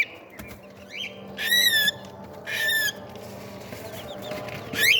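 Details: Cockatiel chicks during feeding: two rasping, buzzy begging calls about a second apart, a short rising squeak at the end, with soft shuffling and steady indoor hiss.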